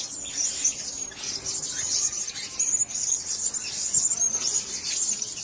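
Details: Caged blue-crowned hanging parrots sharing one cage; continuous shrill, needle-thin twittering pitched very high, calls overlapping almost without pause over a faint background hiss.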